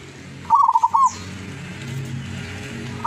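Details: Single quick trilling coo phrase from a zebra dove caught locally in Tuban, East Java, over a steady low background hum.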